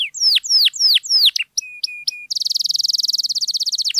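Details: Canary in full song, used as a lure to get silent canaries singing: four loud descending whistled sweeps, brief flat pure notes, then a fast, even, high buzzy trill of rapid repeated notes to the end.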